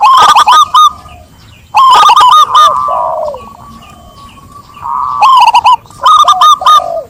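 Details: Zebra dove singing rapid, staccato cooing bursts, each a quick run of bubbly rolled notes lasting under a second, with softer, lower drawn-out coos between bursts and a second similar voice overlapping.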